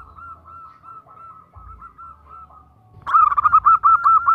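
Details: Female zebra dove calling a male: a gentle sequence of soft, evenly paced coos, then a sudden loud, fast trilling burst of rolled notes.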